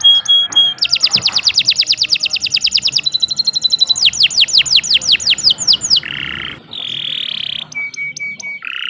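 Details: Canary singing nonstop to train other birds: short pure notes, a long fast trill, a high tinkling rattle, falling whistles, then several harsh buzzy bursts and clipped notes.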